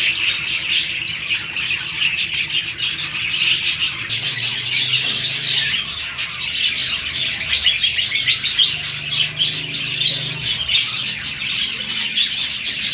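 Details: Paired budgerigars in breeding season, around mating, keep up a busy flock chatter: overlapping high chirps, squeaks and warbles run without a break, with a faint low hum in the background.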